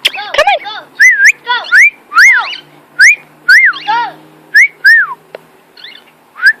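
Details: Singing pet cockatiel, a male out flying, repeats a clear rising-and-falling whistle about once a second, each note bright and slurred, with a few rougher chirps at the start.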